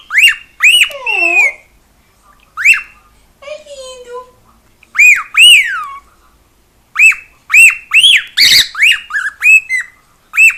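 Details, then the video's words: Pet cockatiel at home, singing and making a lot of noise: loud arched whistles with rich harmonics, some sliding down steeply, given in bursts with pauses, then a quick run of short rising-falling notes; a lower wavering sound midway. "CALOPSITA(KIKO) CANTANDO E FAZENDO BARULHO!"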